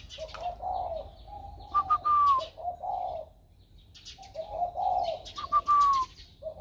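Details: Spotted dove, its voice newly grown warm, recorded 16 February 2020. Two rounds of mellow, low cooing phrases come through, each followed by a bright whistle that slides downward. Light clicks and chirps are heard in the background.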